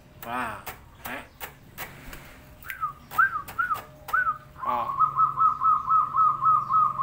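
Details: Zebra dove singing actively, a fast run of short, evenly spaced cooing notes at the end, repeated about four times a second, after a few scattered rising notes; people talking and knocking sounds earlier.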